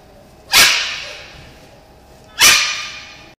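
A macaw gives two loud, harsh, grating screeches about two seconds apart, each sharp at the start and trailing off raspily.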